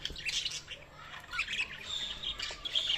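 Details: Budgerigars chirping, a busy chatter of short warbled notes and squawks clustered high in pitch, with faint low hum underneath.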